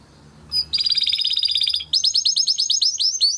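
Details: Training song of a Timbrado canary: a single high note, then a long, dense, buzzing roll, switching to a brisk series of bright, repeated, drooping chirps.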